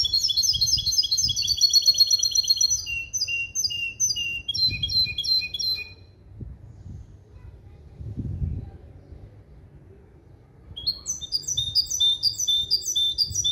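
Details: Hybrid of a male European goldfinch and a female canary, singing a tutored clean 'limpio' song built from goldfinch base calls, recorded in 2021. It delivers rapid high, tinkling trills and repeated chirping notes, goes quiet midway, then resumes with bright repeated phrases over a low rumble.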